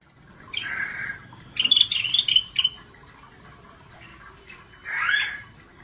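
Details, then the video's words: Gacor singing from a scaly-breasted bulbul: a hoarse opening note, a jerky run of bright chattering whistles, then a loud burry falling slur after a pause. "Cucak Bersisik GACOR DORR"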